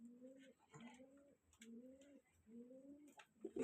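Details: Rajshahi Giribaz pigeons, all colour-matched, give low, soft coos, each drawn out and slightly rising, repeated in a steady series.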